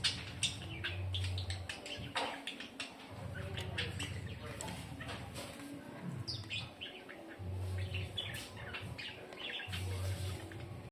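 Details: Kept dun fallow lovebirds calling in a group, with quick high chirps and squeaky notes overlapping irregularly above a loud, steady low droning hum.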